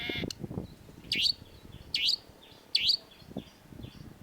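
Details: Long-tailed shrike, a master recording for training cage birds, with a sharp voice: loud downslurred squeaky notes repeated roughly every 0.8 seconds, with softer thin whistles between them.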